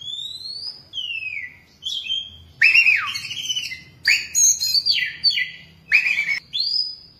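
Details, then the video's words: Ten-year caged Oriental magpie-robin in full song: sweet falling whistles followed by dense, loud bursts of varied chirps and slurred notes, repeated in phrases about every second. "Chòe than 10 năm lồng"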